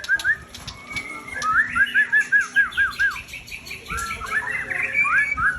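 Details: White-rumped shama, known locally as murai, a breeding bird with a tail of 21, singing a run of clear whistled notes that slur up and down, repeated about twice a second, with rich warbled phrases following and a little background noise.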